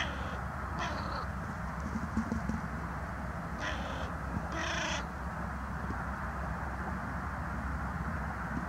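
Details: Carrion crow back on the ground, recorded 22 January 2020, continuing to croak: a short caw, then two harsh drawn-out caws in quick succession, against constant low rumbling noise.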